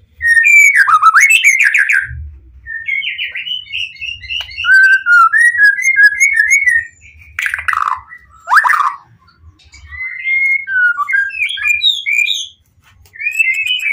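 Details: White-rumped shama in full song meant to make other shamas answer: long varied sequence of loud fluty whistles, trills and harsh chattered bursts, with short pauses between phrases.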